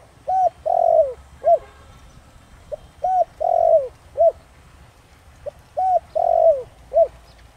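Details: Spotted dove in the Thổ Đồng voice style, used to lure wild doves into cooing back: three soft, low phrases about 2.5 seconds apart, each a short note, an arched coo, a long falling coo and a brief closing note.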